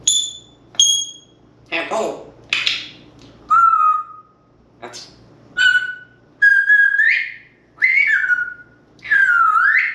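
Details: Pet African grey parrot, two and a half years old, practicing vocalizations alone in his room indoors, captured on a GoPro; a varied run of sharp clicks, short pure whistles, slurred rising and falling tonal notes and squawky bursts, with pauses between phrases.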